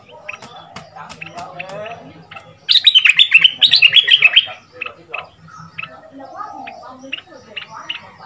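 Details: Red-whiskered bulbul, a new caged decoy of two months from southern Thailand with a fierce double-style song for training young birds: scattered sharp chirps give way to a loud two-second run of rapid, rich warbling, then chirping resumes.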